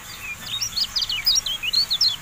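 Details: Javan white-eye song used as a training recording for kept songbirds: a continuous, rapid, high-pitched twitter of thin slurred notes, rising and falling, with clipped chirps bunched closely together throughout.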